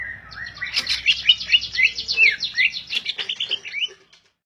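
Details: Greater green leafbird singing a dense, fast chattering stream of high twittering and slurred whistled notes. The notes pulse in quick waves for about four seconds, then stop abruptly into silence.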